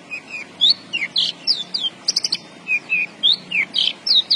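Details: Javan bush lark singing actively, delivering loud high whistled notes that swoop down and up, mixed with a quick stuttered triple chirp and clipped trills, about two notes a second.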